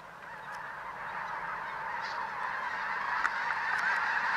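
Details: A huge flock of snow geese, more than 20,000 birds, grazing at a refuge before being spooked into low flight: a dense, continuous chorus of overlapping honking calls that steadily builds in loudness.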